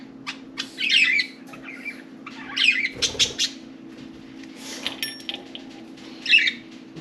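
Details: Budgerigars, four pets playing and talking in and on their cage; soft warbling chatter with scratchy chirps, a brief fluttery rustle, and a short clear squeak near the end, low hum throughout.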